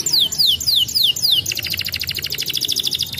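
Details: Canary song meant to prompt young canaries to start rolling fast. Five quick high whistles slide downward, then a rapid buzzy rolling trill continues to the end.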